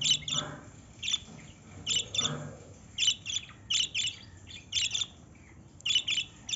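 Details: Lovebirds chirping: shrill, high squeaky chirps in quick pairs and clusters, repeated every second or so, with faint lower murmurs in the background.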